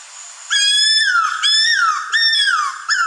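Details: Cuckoo-roller, found only in Madagascar, giving four loud, high, whistled notes about one every 0.8 seconds. Each jumps up sharply, holds, then slides down, like a crying puppy.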